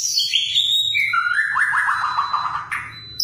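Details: An actively singing white-rumped shama opens with high sliding whistles, then a quick run of descending notes that step steadily downward, over a low background hum.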